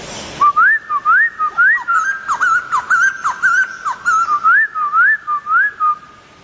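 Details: Actively singing laughingthrush gives a long run of rising whistled slurs repeated about twice a second, looping up and down, with short sharp notes in the middle section, then fading to a steady tone.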